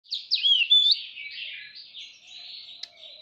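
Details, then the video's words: Oriental magpie-robin singing while fanning its tail in display: loud clear whistles with sliding, swooping notes at the start, then softer warbled phrases and a thin sustained whistle fading toward the end. "Chòe than hót xòe"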